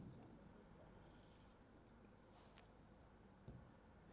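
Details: Golden-crowned Kinglet, a spring-migration bird, played during a talk: a thin, very high hissing series around 9,600 Hz and above, lasting about a second and a half and sliding slightly downward, over low room hum and a couple of clicks.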